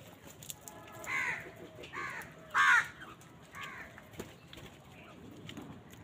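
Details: Several crows on a winter morning, fighting for food: a run of four harsh caws, one markedly louder, then fainter calls and background noise.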